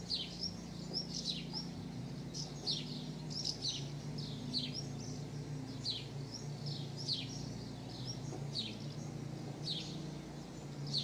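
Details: Tree pipit during summer 2016 nesting on a house terrace, raising four chicks; series of bright, high downslurred notes repeated in quick pairs and runs over a noticeable low background drone.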